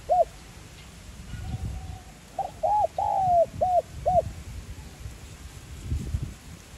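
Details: Spotted dove singing in the 'giọng son' style, used to get captive doves cooing: a single short note, then a phrase of clipped coos framing one long drawn falling coo, with soft low background noise.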